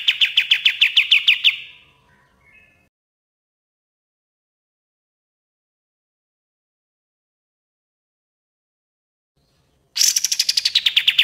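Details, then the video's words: Common iora known as kapas tembak, recorded for training birds: a rapid trill of repeated notes fades into silence, and after a long gap a new loud high trill begins and slides downward. "MASTERAN KAPAS TEMBAK GACOR DOR"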